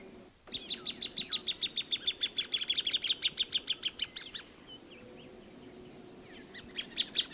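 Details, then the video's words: A loud run of rapid, evenly spaced high notes from a plain thornbird, steady in pitch, dropping slightly and breaking off after about four seconds; a pause follows, then a new burst begins. "Kicauan Burung Plain Thornbird"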